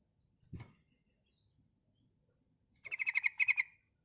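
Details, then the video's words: A female Sooty-headed Bulbul gives a calling burst of about nine bubbly chattering notes in under a second after a dull knock, used to provoke reluctant males to sing; a steady high electronic whine runs throughout. "suara panggilan burung trucukan betina gacor untuk memancing trucuk bahan malas bunyi"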